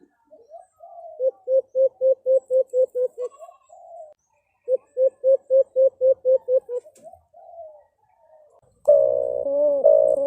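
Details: White-eared brown dove fighting call: two fast runs of about nine low, hollow coos, roughly four per second, then a louder, harsher burst at the end.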